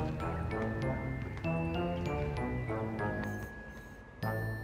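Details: No animal is heard, only chiming, bell-like music with glockenspiel tones over soft low accompaniment, and a brief burst of noise near the end.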